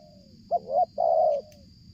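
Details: Single phrase from a spotted dove cooing strongly as it nears from far away during luring: a soft lead-in, a hurried double note, then a long even coo, with low rumble behind.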